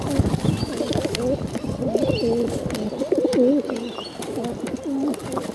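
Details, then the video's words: Bottle-fed pigeons calling for food: a run of warbling, wavy calls rising and falling in pitch, nearly continuous, with rustling and clicks and faint high chirps. "hungry bottle fed pigeons"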